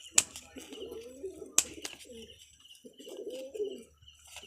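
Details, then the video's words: Pigeons of local and foreign bloodlines kept indoors give low, bubbling coos in two bursts, the first about a second and a half long, the second after a pause. Sharp clacks and faint high twittering from other birds are heard around them. "দেশি-বিদেশি ব্লাড লাইনের কবুতর"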